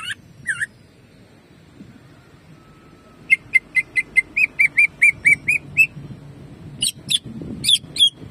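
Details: Greater green leafbird in the rapid 'jamtrok' shooting style, a training recording meant to heat up caged leafbirds: scattered chirps, then a fast run of about ten short whistled notes, ending in sharp high calls over a low hum.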